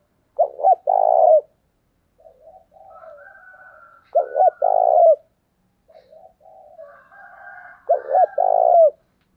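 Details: Decoy spotted dove calling to draw wild doves in: loud coo phrases of two quick clipped notes followed by a sustained throaty coo, repeated roughly every 3.5 seconds, with quieter murmured cooing in the gaps.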